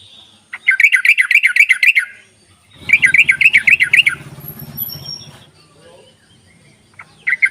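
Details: Ropelan chatter of a yellow-vented bulbul, played as a lure for bulbuls that will not sing: two rapid bursts of rolling, warbled notes, each over a second long, with a low hum under the second and a few faint calls after.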